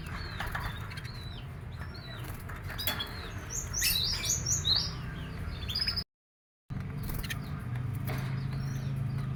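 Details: Canary sunned in the morning hours to sing livelier and keep healthy; rapid high chirps and trilled bursts, busiest midway, broken by a brief silence, with a low background hum.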